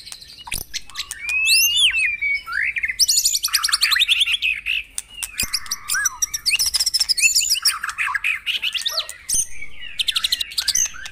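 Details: Energetic White-rumped shama song played for caged birds at a morning airing: swooping whistles lead to long buzzy rattled trills, chattering runs and clipped chips, sung almost without a break.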